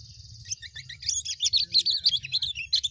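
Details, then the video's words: White-eye singing a wild forest-style song, used to train young birds: a thin steady high note, then a dense, jumbled, rapid twittering of high chirps and trills, with a faint low hum underneath. "Masteran pleci ngalas untuk meningkatkan emosi burung pleci muda"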